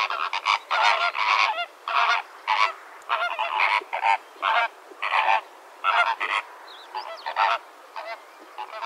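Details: Greater Flamingos (Phoenicopterus roseus) give a steady stream of loud, nasal, goose-like honks, overlapping in short bursts roughly twice a second from a busy flock.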